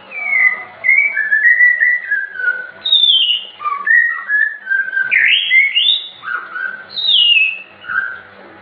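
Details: Captive white-rumped shama, albino and blorok mutation birds, pouring out a continuous varied song of slurred whistles, rising and falling phrases following one another without pause.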